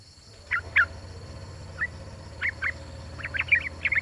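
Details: Yellow-vented Bulbul female calling to a male: short, sharp chirps in small clusters, scattered across four seconds with gaps between, over a constant low hum.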